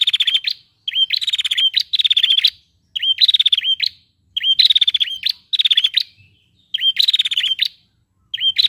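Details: Female prinia, whose call is played to spur males to sing: dense run of short buzzy bursts, each a sharp rising chip then a quick ticking trill, repeated rapidly with brief gaps, no other sounds.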